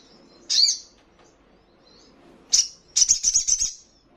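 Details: Crimson sunbird (sogon) prompting caged birds to respond and quiver wings: a single sharp high call, a pause, then a quick burst of ringing high notes repeated about six times.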